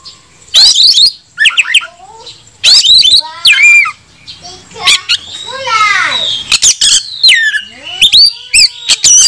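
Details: Oriental magpie-robin singing to challenge rivals to fight and provoke them into tail-spreading display: loud bursts of harsh chatter, sweeping whistled slurs and quick downward trills, repeated in uneven phrases with short gaps.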